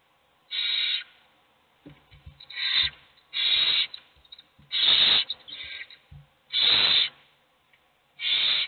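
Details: Hungry owl chicks in a nest box beg, though only one gets fed, with harsh, rasping hisses, each about half a second long, in an uneven series every one to two seconds, with soft low thumps between.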